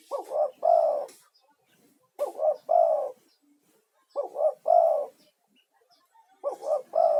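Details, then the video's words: Male spotted dove used as a lure to call other doves and as therapy for stressed caged doves, calling steadily; four phrases about every two seconds, each two quick mellow notes then a longer rolling coo. "SUARA TEKUKUR GACOR UNTUK TERAPI"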